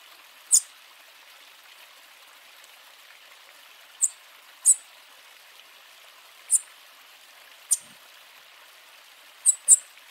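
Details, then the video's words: Bananaquit warming up before singing gives isolated, piercing high-pitched tsip notes. They are spaced several seconds apart, with a close pair near the end, eight in all, over faint steady hiss. "SIBITE OU CAMBACICA ESQUENTANDO CANTO E CHAMADO"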